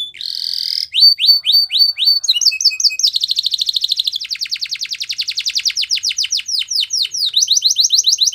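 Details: Spanish Timbrado canary, a training song for teaching canaries: a fast run of bright repeated syllables, with a short whistled note, then rising sweeps, then long rapid trills of clicking notes at a steady high pitch, with no other sounds.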